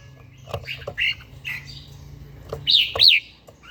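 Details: Caged red-whiskered bulbul singing in the morning during daily song training: a few short whistled notes, then two loud rising-falling whistled phrases near the end, with sharp clicks and a low hum underneath.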